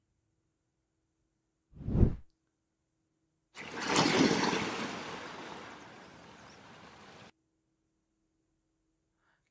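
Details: Silence broken by a short thump and then a few seconds of rushing, pouring noise.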